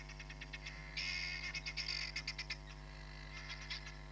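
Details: Hamerkop calling at Nkorho Bush Lodge on 31 July 2021, from a live camera: loose high yips building into a fast rattling chatter, then a few spaced yips again; continuous low hum in background.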